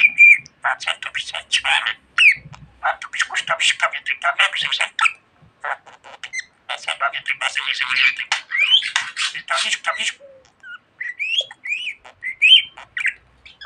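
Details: Pet budgerigar described as talking a lot, producing fast chattering speech-like warbles in bursts, broken by short pauses, with a few rising whistled notes near the end.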